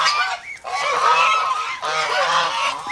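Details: Two dense volleys of loud overlapping honks come from over-protective domestic geese kept as poultry in the Philippines.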